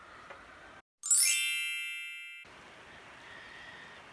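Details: A single bright metallic ding rings out and slowly fades between stretches of quiet room hiss; no animal sounds.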